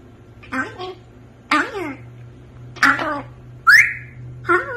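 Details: African grey parrot talking in brief speech-like bursts, then one clear upward-sliding whistle, then a final short phrase. A faint steady hum runs underneath.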